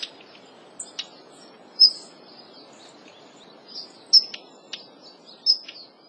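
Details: Daurian redstart female holding a territory in Kobe Municipal Forest Botanical Garden, Japan, on 1 February; thin high whistled notes, a few seconds apart, with soft ticking clicks between them over faint low background hiss.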